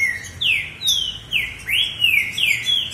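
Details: ['Competing male green-winged saltators give a steady chain of bright whistled notes, some sweeping down and others curving upward, about two per second.']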